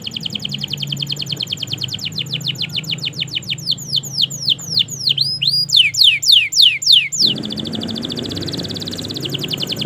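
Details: Canary song meant to prompt silent canaries into singing: fast trills and descending sweeps rising to loud swooping phrases, ending in a soft thin buzzing trill.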